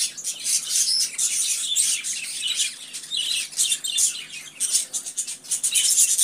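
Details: Pet budgerigars chattering together: rapid, high-pitched chirps and buzzy squeaks pour out in uneven bursts, swelling and fading over several seconds.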